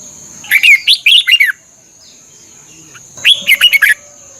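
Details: Red-whiskered bulbul song from Thailand, used for 30-minute morning bird training: two lively phrases of six or so quick, slurred whistled notes about two seconds apart, backed by a constant faint high-pitched tone.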